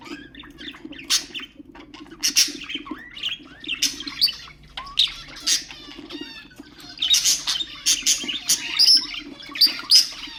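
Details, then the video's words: Pet budgerigars chattering to stimulate other birds: dense high warbling with sharp chirps and short squawks in bursts, busiest toward the end, over a faint low hum. "اقوى أصوات طيور البادجي طيور الزينة أصوات تحفيز الطيور"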